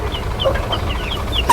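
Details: Thin, high, flute-like peeps from a small Mottled bantam hen held in hand on a fancy-poultry farm in Bogura, Bangladesh: several short falling notes about every third of a second over a low farmyard murmur.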